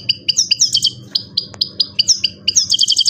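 A Himalayan goldfinch sings a fast, bright twitter of high tinkling notes, short trills and a few drawn-out whistles, over a faint low hum.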